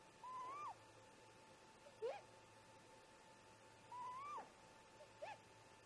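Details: At a snag nest before dawn, about 04:25 MDT on 14 July 2017, a great grey owl pair exchanges calls: two drawn-out rising whistled notes alternate with short sharp upslurred whoops, all faint over a steady electrical hum from the nest camera.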